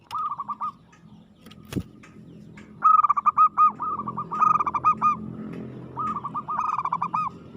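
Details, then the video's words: Aggressive, constantly singing local zebra dove from Indonesia: a sharp knock, then repeated trilled cooing phrases of quick pulsed notes, some louder and some softer, over a faint low hum. "suara perkutut gacor agresif mental baja"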